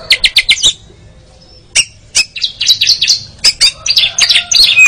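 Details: Caged-bird training audio of an Oriental magpie-robin (kacer) in ngeriwik style: a rapid run of about six clipped notes, scattered chips, then dense twittering buzzy phrases.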